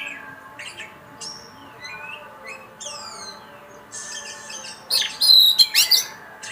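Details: Oriental magpie-robin, a first-place contest winner, singing varied whistled and buzzy phrases: thin descending whistles and short rasping notes early, then a louder burst of rapid harsh, chattering high notes near the end.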